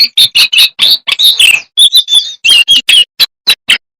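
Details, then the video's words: Jongkangan delivering a dense, fast song of piercing whistled notes and chattering trills. The notes run almost continuously for the first half, then break into spaced sharp chirps toward the end. "AUDIO MASTER BURUNG JONGKANGAN GACOR FULL ISIAN DAN TEMBAKAN MEWAH"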